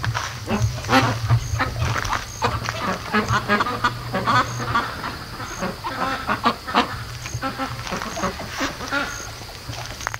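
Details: Young farm ducks, day 73 of raising, restless at three in the morning; a flock gives quick, overlapping nasal quacks, about three a second, over a constant low drone.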